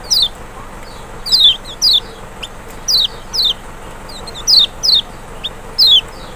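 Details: Kecial lure song of the Lemon-bellied white-eye, Zosterops chloris maxi, played to provoke a silent bird: about ten thin, high, falling whistles, sometimes doubled, spaced irregularly, against constant background hiss.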